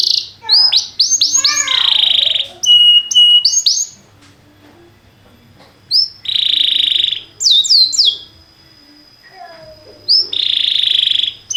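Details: Canary singing in a training recording: clusters of sharp rising notes alternate with long buzzy, rolling phrases, separated by quiet gaps of a second or more.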